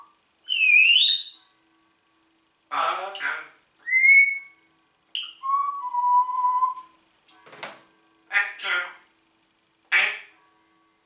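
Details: Pet Congo grey parrot mixing speech-like phrases with clear whistles: rising and steady tones, a falling whistle, and several short clicks and chattering bursts, indoors.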